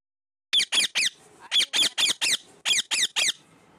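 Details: Pet parrot, after a person says "Enough", keeps up harsh, screechy calls in bursts of three or four with short pauses between groups.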